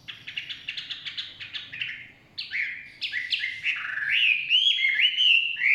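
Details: A Chinese hwamei sings in the forest: a fast burst of sharp, repeated chipping notes, a brief pause, then a string of fluty slurred whistles growing louder, over soft low background hum.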